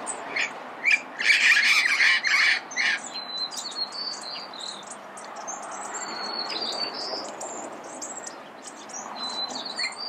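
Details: Early-morning calls of a red-crowned amazon in Pasadena: a rapid burst of coarse, grating squawks lasting about two seconds, followed by steady thin high chirping and whistles from smaller birds.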